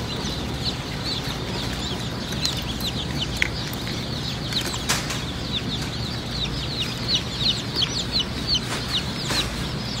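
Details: Hatchery chicks of the Black Sex Link breed, females black and males with a white head spot, producing a dense chorus of shrill falling peeps; occasional knocks and clicks over a loud steady background hum.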